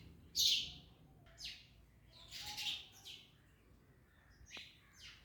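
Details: Parrot, called Mian Mithu, feeding on an orange, giving scattered short sharp chirps and squeaky notes spaced irregularly, the first loudest, with quieter ones trailing after.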